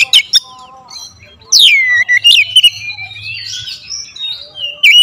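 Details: Oriental magpie-robin lure song: two quick sharp notes, a pause, then a loud downward-swooping whistle into sustained warbled phrases, with a soft low hum in the background.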